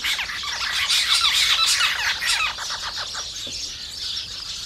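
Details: Loud, harsh chirping from house sparrows at a feeding spot, rapid notes about three a second, strongest at first and then easing slightly.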